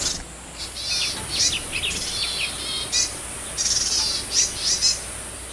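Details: Wild yuhina gathering food for its young; clusters of thin, high twittering chirps come in short bursts about every second against a loud, steady hiss.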